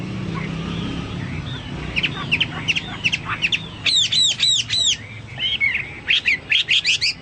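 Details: Chinese hwamei song compared to cucak Papua or cucak mas: varied whistled notes and fast repeated arched chips over a noisy, rumbling background.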